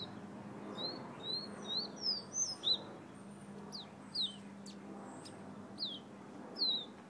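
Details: Fiery red bird from Guyana whistling a fast burst of high, looping notes, then sparser sharp downslurred whistles with short gaps, over faint low hum.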